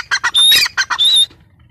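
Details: Harsh, loud squawks from a female grey francolin (teetar): short rasping notes alternate with longer strained notes that hold a thin high tone, then the calling stops abruptly.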